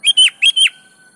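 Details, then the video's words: Sooty-headed bulbul (kutilang) singing vigorously in 'gacor' style, recorded as a lure to coax reluctant bulbuls into singing: four bright whistled notes in two pairs, each pair ending in a quick downward slur, then a faint steady thin tone. "KUTILANG malas Ikut GACOR di PANCING SUARA BURUNG KUTILANG GACOR ini"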